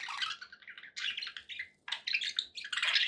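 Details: Loud close budgerigar chatter, harsh buzzy warbles in three bursts with a short silence before the last, against a faint low hum.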